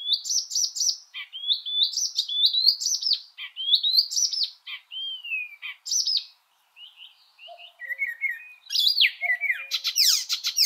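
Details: Icterine Warbler song: a fast, varied run of high chirps and clear whistled notes, including a long falling whistle, then harsher, scratchy notes after a brief pause, with a faint lower note in the background.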